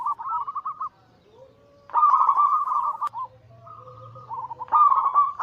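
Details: Group of crossbred zebra doves cooing to lure and stimulate other doves; rolling trilled phrases with gaps, one low hum faintly under a pause.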